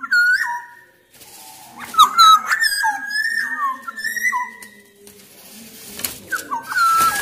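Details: Loud song of a black-naped oriole from Sumbawa, used to encourage other orioles to sing: repeated fluty whistled phrases with dipping slurs over a faint hiss of background noise.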